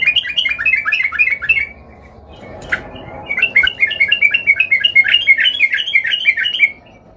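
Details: Excited yellow-vented bulbul looking for a rival pours out a rapid, jerky warbling chatter. It pauses briefly, with a single click in the gap, then launches into a longer chattering phrase.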